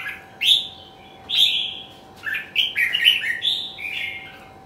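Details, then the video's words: Red-whiskered bulbul in a singing competition: sharp, sweeping whistled notes that start singly and then quicken into a bubbly, chattering warble, with a thin steady hum behind. "Chào mào thi giải"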